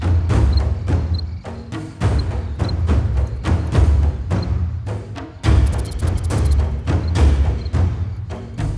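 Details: Dramatic music with heavy timpani beats and percussion, and no animal voices.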